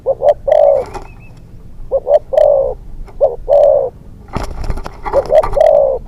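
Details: Young decoy spotted dove used for hunting, second training outing, calling in low phrases: two or three short notes leading into a longer drawn coo, repeated, with a brief rustle in between.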